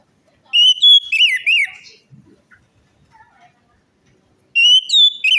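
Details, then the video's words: Orange-headed thrush song meant to prompt a quiet or stressed bird to sing: clear level whistles followed by looping up-and-down notes, a quiet gap of over two seconds, then the phrase begins again. "pancingan Anis merah macet bunyi,males bunyi atau stres"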